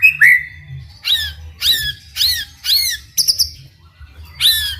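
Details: White-rumped shama song meant to stir other shamas into singing, given as a series of short, loud, downward-sweeping whistled phrases about every half second, mixed with high squeaky notes and a faint low background hum.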